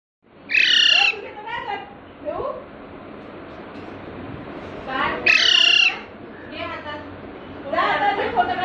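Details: Parrot chick squeaking intermittently while being brought home in Panvel on a Sunday in March 2019: two loud, bright, harsh squeaks about four seconds apart, with people talking quietly in between.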